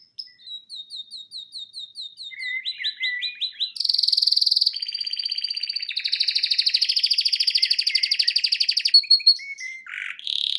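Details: Pet male canary singing heartily indoors before a television: repeated chirping tours that shift pitch, then long fast rattling trills and a final buzzy sweep.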